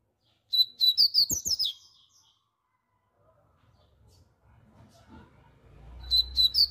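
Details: Loud song of a brown double-collared seedeater: a fast burst of high, sharp, slurred chirps, then a quiet pause with faint room noise and low rumble, then another rapid chirping burst.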